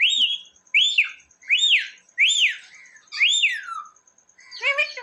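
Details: Pet parrot kept indoors, reputed to talk and say mummy and papa; five clear arched whistles, each rising then falling, about one every 0.7 seconds, ending with a short harmonic speech-like call.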